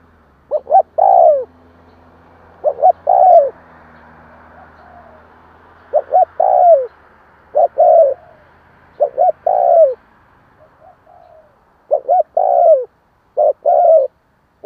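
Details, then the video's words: Spotted dove repeatedly cooing, a recording used to prompt newly caught doves to call. About nine phrases, each of one or two quick soft hoots and a longer falling coo. Irregular pauses between phrases, a faint low hum early on. "Tiếng chim cu kích bổi"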